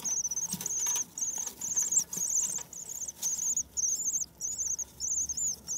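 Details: Spring arrival of common swifts on 9 May. About ten loud, rasping trilled screams come one after another, each near half a second long, with faint clicks and patter between them.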